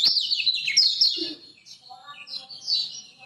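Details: Master song from a Lombok lemon-bellied white-eye to get silent birds singing: an energetic high warble, then softer, quieter twittering phrases with a faint steady tonal note beneath.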